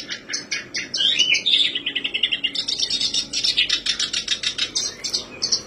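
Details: Black-browed reed warbler song played as a lure to make birds start singing, a rapid, unbroken run of harsh chattering and squeaky notes, some rising whistled phrases mixed in, delivered at a steady busy pace throughout with a faint low background hum.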